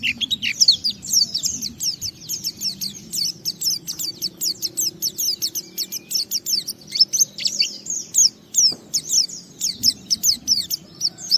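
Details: Continuous white-eye song of the ngalas style, used to set other white-eyes singing: rapid, varied high twittering with sharp downslurred notes in an unbroken stream for many seconds.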